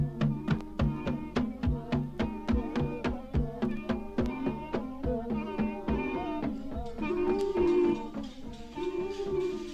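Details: Folk-style music with tabla and percussion beats and a singing voice, with no animal sounds.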